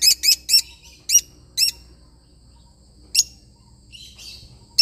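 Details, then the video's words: Lovebird parrot with a series of evenly spaced, shrill chirps, a pause, then a couple of isolated calls and soft twittering. "love bird singing sound"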